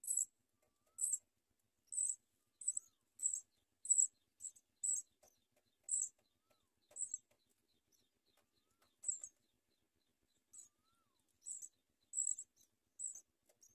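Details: House sparrow babies begging while being fed by their mother: a steady run of brief, very high chirps, rapid at first, then sparser, later picking up again.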